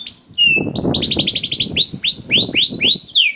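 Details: Young canary song used as a prompt for silent canaries: sharp whistles, a buzzy rolling trill, then evenly spaced falling whistled notes, with low rumbling background noise.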